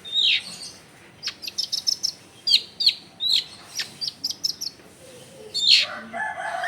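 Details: Lively long-tailed shrike song meant to coax lazy shrikes into singing, recorded at home among crowded housing: sharp high chirps and squeaky whistled notes in rapid clusters, with a louder slurred note near the end.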